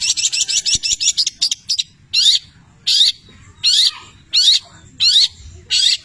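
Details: A cendet, the long-tailed shrike, delivers mimicked canary and labet phrases: a quick run of high chirps, then loud buzzy squeals repeated roughly every 0.7 seconds.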